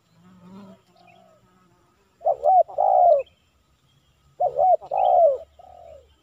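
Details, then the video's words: Spotted dove coos during a decoy trapping outing in Silaban village aimed at a kuk 3 male; after faint low murmurs, two strong phrases sound, each a quick hooked note and a drawn-out falling coo, plus a softer trailing note. "Target Kuk 3 - Tekukur Hiburan"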